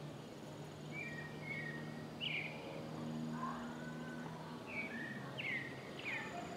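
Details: A pale-breasted thrush singing on a town street in Paramirim, Bahia, Brazil, gives short, clear whistled phrases, some rising and some falling, about one each second, over frequent passing cars and a bus, before it stops and leaves.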